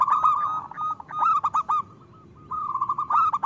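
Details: Local zebra doves, used as a lure to make other doves sing: rolling series of short, clipped cooing notes in a dense run, a brief pause, then another rapid burst of overlapping coos.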